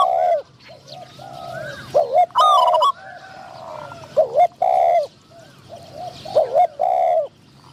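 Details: Spotted doves during decoy trapping, with a caged caller drawing in wild doves and a medium-voiced wild bird answering. Soft, deep coos come in clustered phrases about every two seconds, with occasional high, ringing whistled notes.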